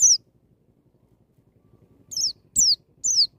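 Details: White-eye in wild "ngalas" style with "nembak" bursts, meant to trigger young birds to sing: a lone high descending whistle, a pause, then three more sharp falling whistles in quick succession over a faint low rumble.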